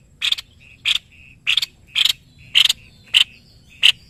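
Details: Seven sharp, bursting chips from a white-bibbed babbler, an Indonesian master songbird, spaced at just over half-second intervals. Faint short whistles sound between them.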